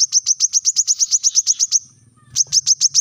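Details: Brown-throated sunbird master song in rapid-fire 'tembakan rapat' style for training captive birds: a quick series of bright, high-pitched repeated notes, a short pause, then the run resumes.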